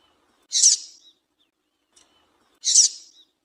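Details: Female double-collared seedeater calling to excite a male into song: two loud, harsh, buzzy high chirps spaced about two seconds apart, each with a short trailing tail, against silence.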